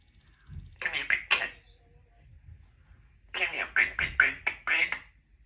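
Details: A 2-year-old female Congo African grey parrot mimics human speech in two bursts of clipped, word-like syllables with a nasal, slightly raspy tone, separated by a short pause.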